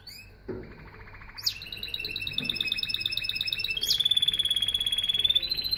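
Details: Canary singing: after a quiet start, a rolling trill gives way to a rapid, steady run of high repeated notes that grows louder and continues to the end.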